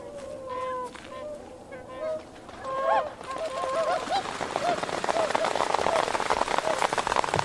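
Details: Tundra swans on water with juveniles, 31 January 2016, camera with external microphone: several overlapping nasal, honking calls trading back and forth, followed by a swelling rushing noise as calls continue faintly underneath.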